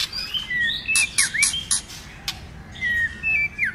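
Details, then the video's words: White-rumped shama singing many varied phrases to excite other shamas: whistled slurs interleaved with four rapid crackling bursts, a pause, then falling whistled notes. "Kích Chòe lửa hót nhiều giọng"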